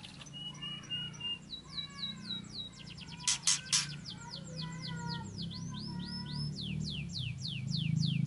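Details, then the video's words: Murai song used to provoke a rival into answering: varied whistled phrases, quick downward-sweeping notes in rapid series, rising and falling slurs, a burst of loud clicks midway, with low background rumble. "PANCINGAN MURAI NYAUT LANGSUNG"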